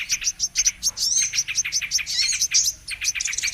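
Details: Brown-throated sunbird on a trapping lure recording: hurried high chirping with short bursts of warbled, wavering whistles, one brief gap near the end.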